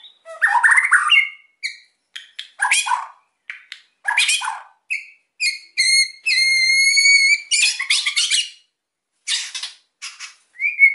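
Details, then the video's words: White-rumped shama song meant to provoke quiet birds: mixed harsh bursts and short whistled notes, a steady rising whistled tone held about a second, then scratchy phrases and a final upslurred whistle. "OCEAN MURAI GACOR EMOSI BIKIN MEMANCING BURUNG YANG PENDIAM"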